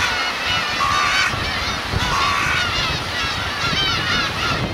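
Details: Black-tailed gulls, parents with chicks, on the Kurosaki coast of Teuri Island, Hokkaido, Japan, 13 June 2021: nasal mewing calls overlapping from several birds, some drawn-out and wavering, over steady surf and wind rumble.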